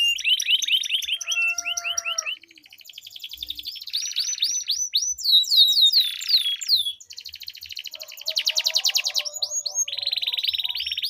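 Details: Canaries in a melodious duel with long rolls, aimed at getting silent canaries to sing: alternating rapid trills, sustained buzzy rolls, clear rising slurs and brief pure whistles, with short gaps between phrases.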